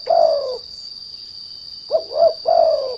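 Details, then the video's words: Trained derkuku, or spotted dove, used as a lure for other doves: a long low falling coo, a pause, then two quick hoots and another drawn-out descending coo, with a continuous high electronic tone behind. "The Sound of Lure Derkuku Lure"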